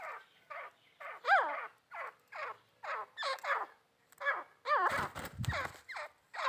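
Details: Female grey francolin, or teetar, giving a steady series of rough, downward-curving notes with strong overtones, roughly two per second. A brief dull thumping noise breaks in near the end.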